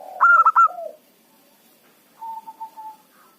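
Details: A local zebra dove used as a lure to attract rival birds. It gives one loud burst of four rapid vibrating notes over soft low coos, then a pause, then a long, level, quieter cooing trill.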